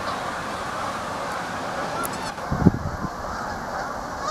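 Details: Geese flocking together, their many honks blending into a steady babble, with a brief low thump near the middle.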